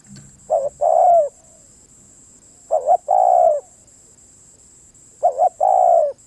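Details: Spotted dove singing three phrases spaced about 2.4 seconds apart. Each pairs a short double coo with a long mellow descending coo. A continuous faint high-pitched tone is in the background.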